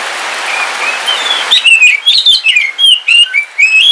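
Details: Caged Kalimantan kacer wulung (oriental magpie-robin) sings in rainy weather, a brief rain hiss followed by a fast string of clear, ringing whistles bending up and down.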